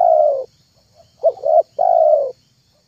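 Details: A spotted dove lure call: a long falling coo, then two short clipped notes leading into another long drawn coo, low and throaty, with faint hum behind.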